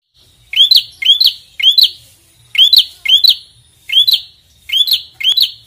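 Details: Prinia, described as red-headed, singing persistently as it challenges a rival: sharp rising chirps in close pairs, each with a buzzy, ticking top, with the pairs repeated about every second and short gaps between bursts.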